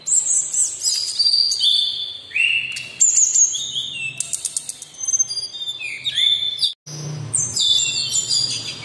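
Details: Sumatran laughingthrush singing continuously: bright whistled slides at very high pitch, stuttering rapid clicks, and a brief silent break before the phrases resume, with a faint low hum underneath.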